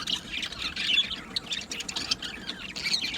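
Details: Budgerigars in a colony aviary chattering busily: continuous overlapping squawks, warbles and chirps with no pauses, several birds calling at once.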